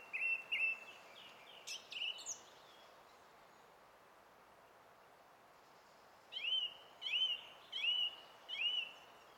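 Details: Song thrush singing on 20 April 2016. A pair of short notes and some thin twitters are followed by a pause, then a rising-and-falling whistled note repeated four times in even rhythm.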